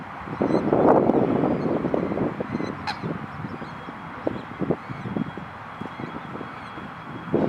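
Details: White-winged coots at Laguna María la Gorda reserve, Río Gallegos, Santa Cruz, Patagonia, Argentina: short, low honking notes in irregular bursts, several birds calling over one another amid a steady background hum.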